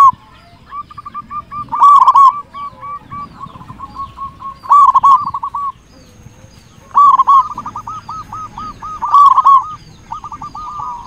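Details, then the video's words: Zebra dove song from a local Indonesian bird with a big voice, used as a lure for other zebra doves: long strings of quick, stuttering coos and louder rolling phrases, overlapping densely, with a faint thin high tone in the background. "Perkutut lokal gacor suara besar cocok untuk pancingan semua jenis burung perkutut"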